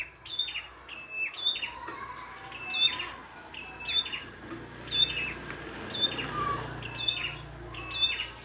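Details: Wild red-headed prinia singing vigorously in nature, with a full, varied song: a high whistled note dropping into buzzy lower trills, repeated about once a second in steady phrases over faint background hum.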